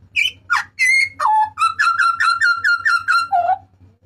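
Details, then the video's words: Butcherbird from Papua giving its loud, harsh cry, used as a master and lure recording for cage birds: a string of clear, ringing notes, the first ones varied, then a steady run of repeated notes about three per second, ending on a lower note. Faint low hum underneath. "TERIAKAN MAUT BURUNG JAGAL PAPUA"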